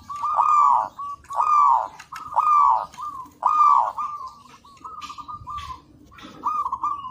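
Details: Local zebra dove in active song for training use: four full, rounded coos repeated about once a second, followed by quieter stuttered cooing phrases.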